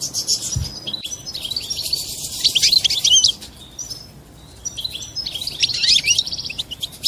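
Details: Mating song of a European goldfinch that is said to bring the female into mating posture: bursts of fast tinkling, twittering and buzzy notes, separated by a quieter gap in the middle.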